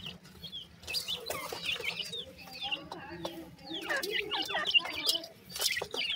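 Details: Grey francolin chicks calling together: a busy chorus of short, high chirps and downslurred peeps that overlap constantly, with occasional soft clucking notes beneath and a faint low hum in the background.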